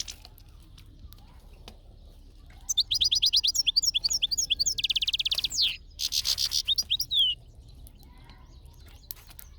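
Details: European goldfinch in nature giving a fast, bright twittering song: a burst of rapid high liquid notes, then a dense buzzy trill and a final tinkling phrase, about four and a half seconds of song over soft background hiss.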